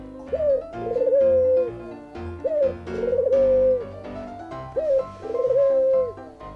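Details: Russian white dove kept by magicians, giving its usual call: three rolling coo phrases about two seconds apart, each a quick rising note then a long, steady low coo, over faint background music.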